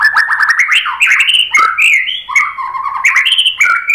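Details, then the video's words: Dense white-rumped shama song meant to set other shamas singing: nonstop rolling, looping whistles and quick slurred notes sweeping up and down in a lively stream. "KICAUAN MURAI BATU bikin BUNYI NYAUT JADI GACOR BONGKAR ISIAN ¦ PANCINGAN MURAI ¦ SHAMA BIRD"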